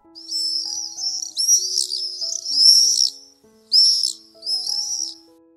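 Common Swift giving shrill, harsh screams in five bursts of about a second each, very high-pitched, over soft background music.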